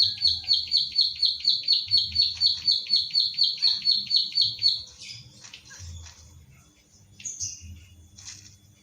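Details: Ciblek sawah prinia, locally klik klik, in a training recording for other birds from Central Java, captured on an Infinix Hot 9 Play. A run of quick, evenly spaced high chirps lasts about five seconds, then scattered faint rustles and clicks.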